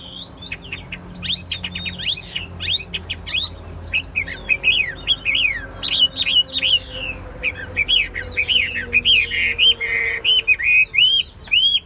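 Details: Caged Chinese hwamei, described as hard-singing with a fine voice, sings bursts of bright whistled notes. Fast descending slurs and rising loops come in clusters with short pauses, ending in ringing repeated whistles.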